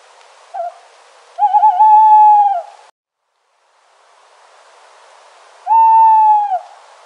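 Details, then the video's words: Owl calling in nature: a brief low note, then a long steady hoot that wavers at its start, a silent pause, and a second long, level hoot, over a faint continuous background hiss. "Owl Sound - Sounds Of An Owl In Nature"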